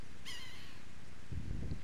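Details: Yellow-bellied Sapsucker tapping a tree beside a highway gives a single nasal, cat-like "meow" mew, slurring downward and lasting about a third of a second, over a steady rumble of traffic.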